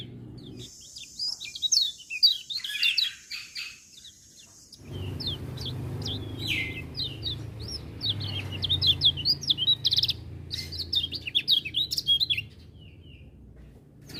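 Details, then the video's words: Lemon-bellied white-eye singing vigorously while other birds are said to join in; a steady thin high hiss at first, then a long run of rapid chirps and sharp twittered notes from several birds. "Kecial Kuning Gacor Dengar Suara Kecial Kuning Ini Burung Lain Pada Ikut Bunyi"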